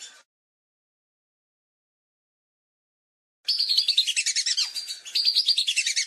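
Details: After a brief snippet and a long silence, lesser whistling ducks break into fast, high, overlapping whistled chatter from several birds, used as a hunting lure recording.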